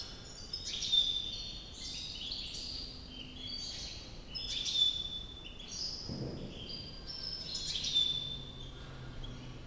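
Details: White European goldfinch from Climat de France, Algiers, delivering high twittering song phrases in bursts about every three to four seconds, each topped by a sharp thin whistle, with a low thump and background noise.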